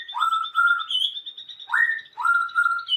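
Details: Birds singing in the afternoon: loud whistled notes sweep upward and hold steady, repeated three times over a thin, high, steady trill.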